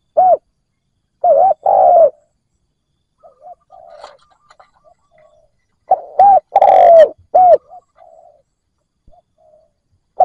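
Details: A captive decoy spotted dove coos to lure wild doves: mellow, low coos in phrases (a single note, a pause, then two quick coos and a longer drawn-out one), repeated about every five seconds.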